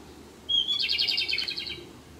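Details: Japanese robin, a six-day visitor to a birding spot, singing on its departure day: a clear opening note flowing into a rapid rattling trill of about a second, over quiet background.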